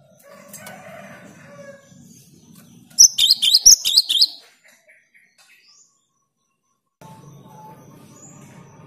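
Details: Cinereous tit singing strongly as a lure for silent birds: one short burst of quick, high, ringing double chirps stands out between stretches of low rumbling background noise.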